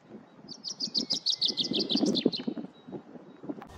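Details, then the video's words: A common chaffinch delivers a rapid run of clear, repeated chipping notes that drop slightly in pitch before a terminal flourish, with low rumbling and rustling noise underneath. "OCELLS CANTANT - Pinsà comú - Pinzón común - Common chaffinch - Fringilla coelebs"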